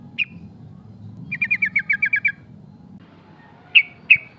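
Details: Female yellow-vented bulbul calling to challenge rivals, with a rolling 'cok cok' call: a single sharp chip, then a fast run of about nine clipped, even chattering notes, and two more separate chips at the end, with a low rumble underneath.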